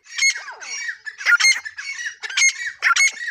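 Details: Full-size female grey francolin calling in loud, rasping squawk bursts with rich harmonics and some downward-sliding notes, delivered in uneven clusters with brief pauses between them.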